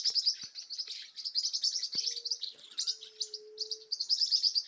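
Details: A flock of green-rumped parrotlets in a tall tree in caatinga gives a continuous chatter of high, buzzy chirps and twitters, with several birds calling at once.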